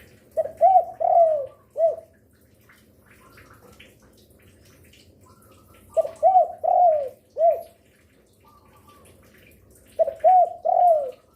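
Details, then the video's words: Lure spotted dove cooing: bursts of soft, hollow, slightly rising coos grouped in phrases of four or five, each phrase separated by about four seconds of quiet with faint background hum and distant chirps. "Derkuku gacor rajin bunyi siang sore malam cocok untuk pancingan"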